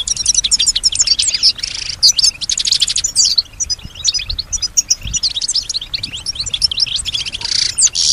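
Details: Female pet European goldfinch singing and imitating surrounding sounds such as other birds and human voices: very high, rapid tinkling twitters and buzzy trills pour out almost without pause.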